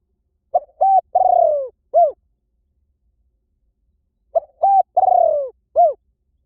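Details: Dove of a large kind, as the local name has it, giving a cooing phrase around 600–800 of low pitch: a short note, two clipped hoots, a long falling coo and a final hoot, repeated after a three-second pause; otherwise silent.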